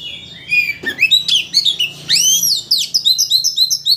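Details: Oriental magpie-robin lure song meant to rile a bird into singing all its borrowed phrases; loud, fast series of looping whistles, upslurs and chattering notes, ending in rapid repeated chips.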